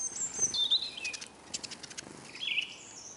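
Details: Eurasian siskins crowding a bird table in Kolmården, Sweden: high descending whistled call notes and twitters, a pause filled with pattering clicks, then a rising whistled call at the end.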